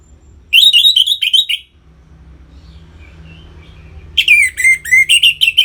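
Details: Orange-headed thrush song used to bring captive birds into breeding condition: a brisk phrase of warbled whistles, a two-second quiet gap with low hum, then a longer varied run of slurred and chattering notes.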